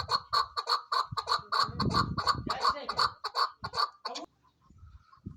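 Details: Female chukar partridge giving a steady chuck-chuck series, about two to three harsh notes per second, with low rumbling background noise, then a brief quieter pause.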